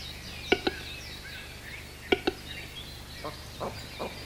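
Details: A western capercaillie in the Orobie Valtellinesi park during its breeding-season courtship display gives two pairs of sharp, hollow double clicks about 1.5 s apart, then softer knocks, as small songbirds chatter behind.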